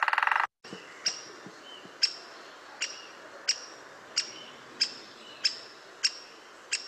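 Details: Great spotted woodpecker giving its one-note call, distinct from its drumming: sharp, high single 'kik' notes repeated steadily about every two-thirds of a second, after a brief burst of noise.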